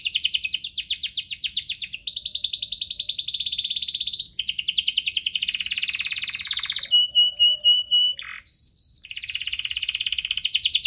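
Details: Rolling canary song, 'cuit-cuit ngerol', for prompting quiet canaries to sing: extended buzzy high trills, a stretch of clear piping level whistles with a short lower note, then the rapid trill returns.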